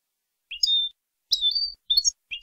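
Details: European goldfinch, clean contest-style training song recorded in Málaga in 2020: separate high twittering notes and short clear whistles, in four brief bursts with pauses between.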